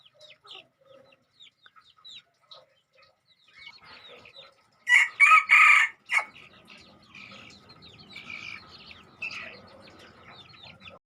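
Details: Crossbred decoy red junglefowl, about two months old: soft high peeps throughout, broken midway by a loud rough crow of two or three strained bursts, then more chirping and faint rustling.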